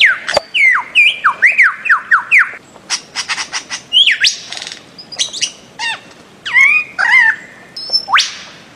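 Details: Bird-of-paradise giving a loud series of sharply down-slurred whistled notes, about two per second. Then come scattered squawks, upward-sweeping whistles and a final rising note that ends in a harsh burst.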